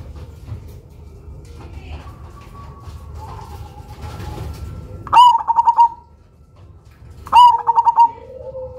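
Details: Cemani zebra dove kept as a lure bird, loud and unusually rhythmic: two phrases about two seconds apart, each a bright opening note followed by a bubbling run of short coos. Softer dove calls and low background noise before.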